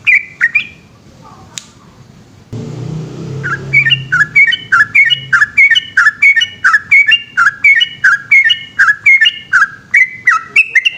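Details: Yellow-vented bulbul singing at night in a long continuous 'gacor ropel' style: after a few scattered notes and a brief burst of noise, a rapid run of short clear whistled notes, rising and falling, about three per second.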